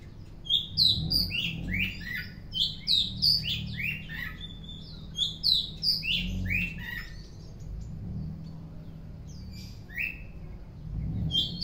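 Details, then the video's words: Oriental magpie-robin singing actively in the afternoon: a rapid, varied stream of bright whistled and slurred notes, many rising or falling sharply, delivered in dense bursts with brief pauses and a low background hum. "Kacer Gacor On Play di sore hari"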